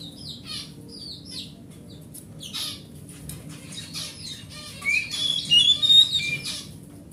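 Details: Oriental magpie-robin, a large-bodied forest bird kept as a home hobby bird, singing to coax silent magpie-robins into song; quiet start with scattered faint notes and soft knocks, then a burst of loud, high, whistled and trilled phrases near the end.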